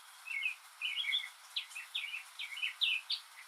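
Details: Northern mockingbird singing alone on a rainy day, mimicking other birds and sounds: a rapid run of varied chirpy phrases, each quickly repeated, mostly high-pitched with a faint hiss of rain beneath.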